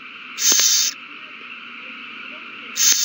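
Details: Nesting owls in a frenzy over a mouse, 21 March 2020: two sharp, breathy hiss bursts over two seconds apart, with low background hum in between.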